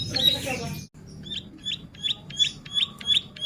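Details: Bar-winged prinia in lively 'gacor' singing form, for use as a tutor or lure recording: a noisy opening burst, then sharp high chirps repeated about three times a second.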